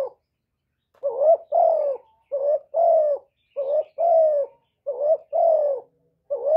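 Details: Lure spotted dove, captive, cooing steadily in quick paired phrases, a short rising hoot followed by a longer level coo, about five pairs in rapid succession, clear and low with no other sounds.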